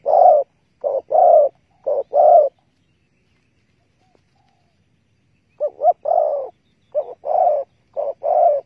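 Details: Spotted dove near a bird trap with bare bait, 15 August 2020: two bursts of loud paired and triple coos separated by three seconds of silence.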